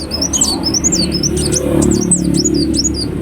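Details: Ruby-cheeked sunbird (kolibri wulung) from Indonesia, giving a quick run of high, sharp twittering notes that sweep up and down, over a low background hum.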